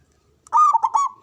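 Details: Local Javanese zebra dove with a big, loud voice, used to stimulate breeding and fighting spirit. A single short rolling coo sounds once, warbling and slightly wavering, then stops.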